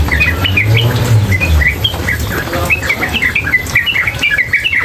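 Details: Continuous song of a female sooty-headed bulbul beside water: rapid strings of short whistled chirps, some rising and some falling, over a steady low rush of water.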